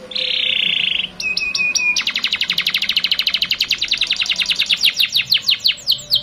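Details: Canary lure song for teaching young canaries: a steady buzzy high tone, a few clipped notes, then a long rapid rolling trill that slows into spaced downslurred chirps near the end.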